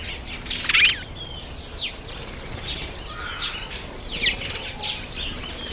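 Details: Masked weaver in September–October breeding season giving sparse downslurred squeaks and buzzy notes, with two rough fluttering bursts at about one and four seconds against a quiet hiss.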